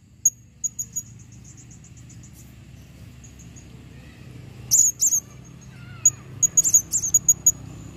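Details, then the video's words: A female blue-crowned hanging parrot calls with very high, thin, sharp chips in quick bursts, with a faint falling whistle from another bird and a low hum behind. "serindit betina memanggil"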